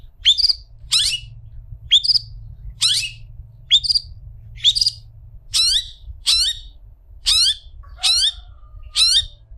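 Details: Long-tailed shrike singing, for tutoring other shrikes: a steady series of short, harsh, high chirps falling in pitch, repeated about every 0.8 seconds for ten seconds, with a brief low whistle near the end.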